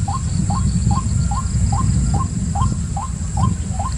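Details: Rhythmic series of brief rising notes from a white-breasted waterhen, evenly spaced roughly every half second, set against heavy low-pitched background noise and a steady high hiss.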